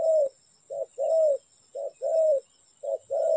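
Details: Loud close spotted dove during trapping, delivering a short coo followed by a longer, slightly falling rolled coo, the pair repeated three times in quick rhythm.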